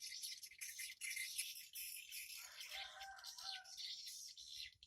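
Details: Swiftlets coming and going at a simple wooden swiftlet house on 14 August 2018 at 07:25 in the morning; dense, continuous high twittering and rapid chirps overlapping throughout, with a lower, rougher chattering passage in the middle.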